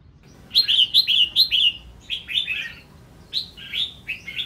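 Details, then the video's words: Female red-whiskered bulbul singing to stimulate males, a series of bright, slurred whistled notes in quick succession, then a pause and a few more chirpy phrases. "Tiếng chào mào mái kích trống hót líu lo"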